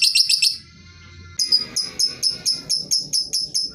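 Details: Lovebird used as a lure to get silent or lazy lovebirds of any type to sing: shrill, high chattering bursts, then a steady run of rapid harsh notes repeated about three times a second.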